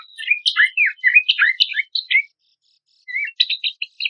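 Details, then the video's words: Horsfield's babbler lure song for training songbirds: a lively chatter of varied slurred whistles and sharp chips, a short silence, then a quieter whistled note and a few high chirps. "PANCINGAN AMPUH PELANDUK SEMAK MASTERAN"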